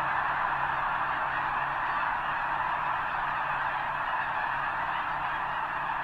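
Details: Huge snow goose flock near the eastern end of Potholes Reservoir, gathering before the northward migration to breed on the tundra; relentless overlapping honks form a uniform roar, with a low steady hum underneath.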